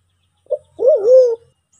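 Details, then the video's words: White-faced cuckoo-dove, presented as a lure call for Sulawesi forest pigeons: a brief low hoot, then a longer mellow coo that wavers before sliding down; no other sounds. "SUARA MERPATI HUTAN"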